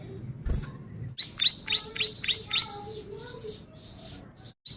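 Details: A dull thump, then a Bar-winged prinia gives six quick, high, sharp chips in an accelerating run, fading into faint twittering, as a tutor and lure recording.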